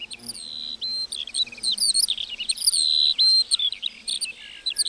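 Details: Lark in a meadow singing a continuous high twittering song, with quick wavering whistles, fast chirps and jumpy note changes running on.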